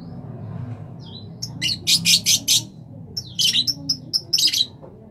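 A rosella gives bursts of harsh, scratchy chatter mixed with short high whistles, in two quick runs over a low indoor hum.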